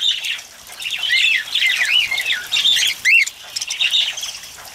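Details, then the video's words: Cockatiels out in the rain for a bath chatter in loose bursts of curved, whistled chirps, with a louder upslurred squawk near the end, set against soft steady hiss. "Cockatiels Bathing In The Rain"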